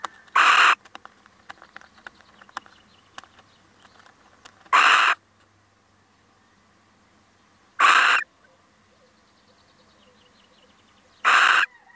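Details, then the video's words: Male little owl visiting calls four times over twelve seconds, each a brief harsh, hissing screech spaced roughly three to four seconds apart, with light clicks in between. "Mannetje steenuil komt even buurten"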